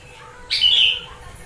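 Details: Gentilang singing starling-style filler phrases, used as a lure to get a bird to respond: one sharp, ringing whistled note with a buzzy tail, lasting about half a second, over quiet background.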